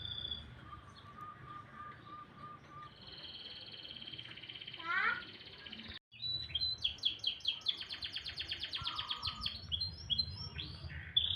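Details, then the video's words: Canary in the morning giving a long low tone and a high sustained whistle, a quick rising sweep, a brief silence, then bursts of rapid high trills and chattering notes. "kicauan burung kenari"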